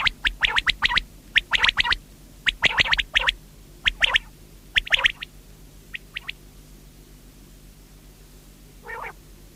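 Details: Common quail (batair) singing: clipped, sharp three- to four-note phrases repeated about every second for five seconds, then fainter scattered notes and one last burst near the end, over a steady low hum.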